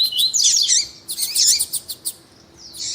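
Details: Lined seedeater male alongside a calling female, a warm-up for song tournaments; two dense bursts of high warbled, slurred whistles separated by a few sharp ticks, then a thin rising note.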